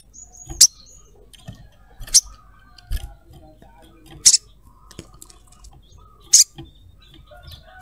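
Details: Sogon, played as a lure to draw other sogon, gives sharp, very high 'cruet' chirps, one roughly every two seconds, with faint softer twitters in between.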